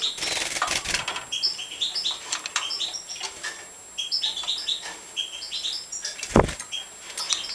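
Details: European goldfinches being fed in a breeding setup: rapid, high-pitched chirping and twittering notes in short overlapping bursts, with fluttering wing noise early on and a sharp clatter near the end.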